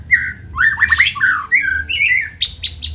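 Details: White-rumped shama singing, a song meant to prompt other shamas into song; fluid whistled slurs and a harsh buzzy burst, followed by rising whistles and sharp repeated high chips.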